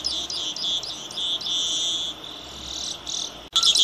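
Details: Saffron finch, known locally as misto or canario tipio, singing a high string of short chirps and longer drawn-out notes, pausing midway, then a sharp burst at the end.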